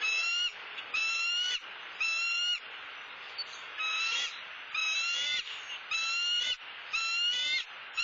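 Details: Seven shrill, harmonic chirps come at about one per second from a bald eagle at its nest in Southwest Florida, filmed by a live camera during nest building and feeding on a soft-shelled turtle.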